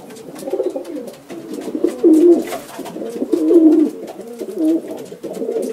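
Domestic pigeons coo in low, throaty, rolling phrases, several birds overlapping in a steady murmur, with a faint room echo.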